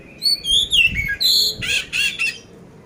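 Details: Oriental magpie-robin, poci variety, from Magelang in Central Java, giving a short burst of coarse-filled competition song: descending whistled glides followed by loud, broad, rasping chips.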